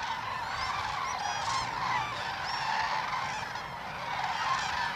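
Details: A gathering of dancing common cranes at Hornborgasjön lake in Västergötland, April 2009, with a dense, continuous chorus of many overlapping trumpeting and rattling calls, some rising sharply, from birds near and far.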